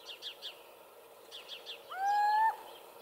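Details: Recorded in 2015 at Hortobágy National Park in Hungary, a little owl gives one clear, upslurred mewing note, preceded by a run of quiet, thin chirps from small songbirds in the background.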